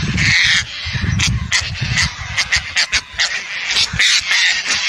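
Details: Indian skimmer giving a rapid series of short, harsh, yapping calls, some in quick clusters, with steady low wind rumble underneath throughout.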